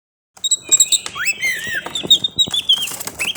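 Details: Oriental magpie-robin singing at dawn, a varied run of clear whistled notes with rising and falling slurs and sharp chips, delivered quickly over about three seconds with no other clear sounds.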